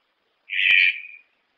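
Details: Red-breasted toucan calling: a single harsh, raspy croak of about three-quarters of a second that trails off quieter, with a brief click partway through and silence around it.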